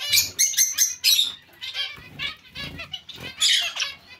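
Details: Zebra finches calling in a colony alongside Bengalese finches; loud, clipped nasal honks in quick series, some sharp and buzzy, separated by brief pauses, with light fluttering and bumps underneath.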